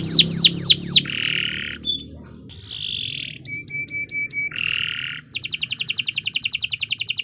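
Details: Canary in long continuous song for training birds: three loud downward-sweeping notes, buzzy held phrases, a brief whistle, clicks over a pure whistled tone, then a fast steady trill of repeated notes.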